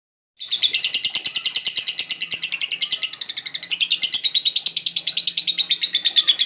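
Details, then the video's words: Lovebird in continuous "ngekek" song, a long rapid high chattering trill of harsh pulsed notes, about three per second, sustained for six seconds without a break. "Burung lovebird ngekek (gacor pisan)"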